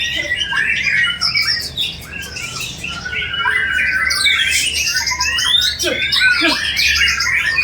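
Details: A white-rumped shama's piercing, mimicry-laden song, sung while bowing: a fast, continuous torrent of high whistles and chatters, with a few lower swooping notes late on.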